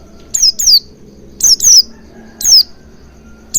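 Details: Oriental white-eye, played as a lure to get the bird singing: bright high chirps sliding down in pitch, mostly in pairs, roughly once a second, with faint low hum beneath.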